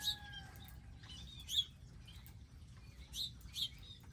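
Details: Short high chirps from wild birds at a garden feeding area with seed and water, a few spaced notes over a faint low hum and a thin steady tone.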